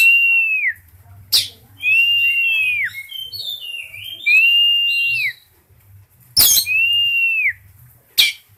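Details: Singing Oriental magpie-robin in breeding condition: three long, pure whistles, each bending down at its close, separated by busy twittering phrases and abrupt rasping clicks, over a soft low hum.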